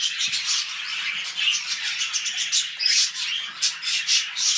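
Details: Pet budgerigars during mating at the start of a new clutch: quick, squeaky high warbling with short whistled notes, continuous and lively, with one faint low tap early on.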